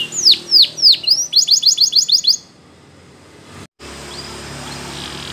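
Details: Belgian canary training song for young birds: a few loud descending swoops and a short run of rapid chips, then the singing stops, leaving steady low background hiss.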